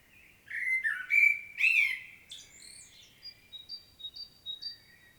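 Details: Common blackbird singing a solo in Świnoujście, Poland, on 25 September 2022: a loud, mellow, warbled fluting phrase, followed by a thin, high, squeaky twitter of short repeated notes fading out.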